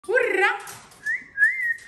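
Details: Pet Amazon parrot, happy at being let out, calling the household cat: a short harmonic, speech-like utterance, then two clear, steady whistles, the second slightly rising, in a quiet small room.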